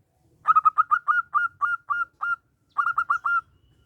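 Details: Local zebra dove singing with a small voice, used as a lure to challenge other doves: a quick run of short, clipped cooing notes, then a pause and a second shorter burst of the same notes.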